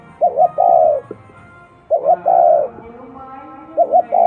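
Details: Spotted dove, local field bird, repeating its coo: a paired short note followed by a long falling coo, twice in full and starting a third, with faint background tones.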